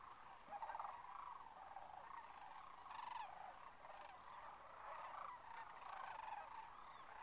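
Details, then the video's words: Thousands of sandhill cranes taking off from their winter home at Whitewater Draw near McNeal, Arizona: a dense, distant wall of rolling, overlapping calls that swells and fades, with steady background hiss. "Sandhill Cranes Liftoff"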